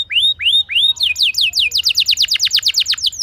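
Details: Canary lure song for rousing other canaries: three clear rising whistles, then a quick run of loud repeated falling sweeps delivered about six per second.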